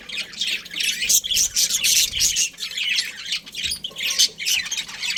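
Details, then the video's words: Breeding pair of budgerigars chirping: dense, scratchy high chatter in overlapping bursts, squawky and warbled, almost continuous with brief pauses, recorded indoors. "Budgies Chirping Sounds"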